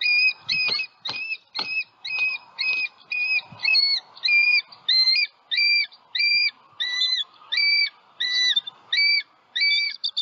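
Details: Wild bald eagle pair at a Southwest Florida nest with two eaglets, on high alert after an owl struck the female and knocked her into the nest. Loud, strained two-part squealing notes repeat steadily, about every half second.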